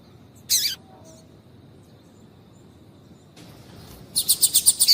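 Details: Calls of a female Double-collared Seedeater used to excite a male: one sharp high chirp, a pause, then a rapid run of about seven thin, high ticking notes at the end.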